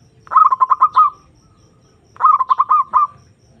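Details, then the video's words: Zebra dove luring a rival and raising breeding drive: two matching phrases of rapid, bubbling notes, each ending in a held coo, less than two seconds apart. "Pancingan Perkutut Memanggil Lawan Manjur Langsung Nyaut"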